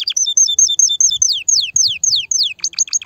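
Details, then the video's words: Canary singing to prepare the female for mating, with quick repeated two-part whistled notes followed by a run of falling slurred sweeps and a burst of short chips. "تغريد كناري هائج , لتجهيز الاناث على التزاوج , و بناء العش فورا"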